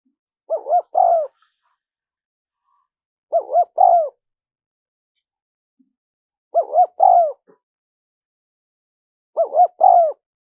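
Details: Spotted dove cooing, a recording used to lure wild doves: four low, hollow three-note coo phrases, two quick notes then a longer drawn-out one, about every three seconds with quiet gaps between.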